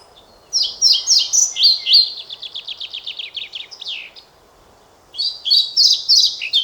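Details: European pied flycatcher singing: bright high notes from 0.5 s, then a long rapid run of dry repeated elements fading near 4 s, and after a pause a second loud phrase of quick varied twitters from 5 s; low steady background hiss.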